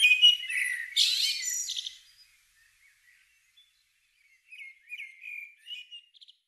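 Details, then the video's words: Blackbird at dawn in springtime British countryside opens with two loud, squeaky twittering flourishes, falls silent for a few seconds, then resumes with soft, short fluted warbles and a brief high trill. "Blackbird Dawn Bird Songs"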